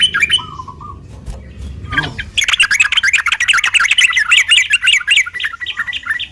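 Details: Sooty-headed bulbul fighting song for provoking other birds: a few soft scattered notes at first, then a sustained run of quick, bubbling, chattered phrases lasting about four seconds.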